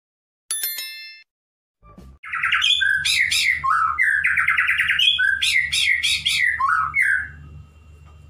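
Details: Courting male white-rumped shama, a pet bird, singing toward a female. A brief high tinkling note comes first. After a pause, dense loud song follows: buzzy trilled bursts alternate with clear whistled slurs, repeated in rapid sequence.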